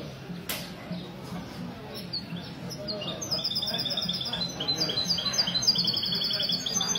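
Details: Caged mestizo goldfinch hybrid singing on a Sunday morning at a café in Ksar El Kebir, Morocco, 16 February 2020, at a goldfinch club gathering. After three quiet seconds, rapid high twittering trills begin over a low café murmur.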